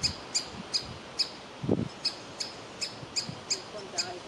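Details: Young woodpecker in a tree nest hole begging to be fed while its parents want it to leave; short, sharp, high calls repeat steadily about every 0.4 seconds, with a brief low thump midway.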